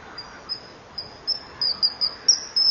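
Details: Juvenile common kingfisher begging at a breeding-wall camera on a July 2015 evening while the female drives it off. Thin, piercing high whistles, at first spaced and then quickening into a rapid run of short notes.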